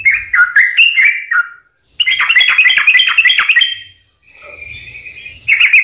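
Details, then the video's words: Sooty-headed bulbul lure song for prompting quiet birds to sing: quick chirpy whistled notes, then a dense rapid chattering run, a brief pause and a softer thin tone before the notes resume. "pancingan suara burung trucukan gacor "malas bunyi , bahan dan burung stress langsung ikut gacor"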